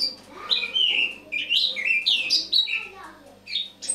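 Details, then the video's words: Autumn morning song of a Eurasian blackcap, 1 October 2017: quick jumbled warbling with clear slurred whistles rising and falling, notes bunched in short bursts with brief pauses between. "Осеннее пение славки-черноголовки (Sylvia atricapilla)"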